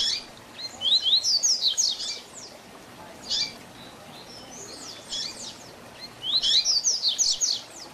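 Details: Double-collared seedeater singing a 'tui tui zel zel' style tutor song for training young birds: bursts of fast, high, slurred whistled notes, about one second each, repeated three times with brief single notes between them, over faint background hiss.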